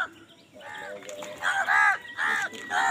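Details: Crows squabbling over food produce a quick run of four or five harsh, nasal caws in close succession, rising in loudness toward the end, over steady background noise.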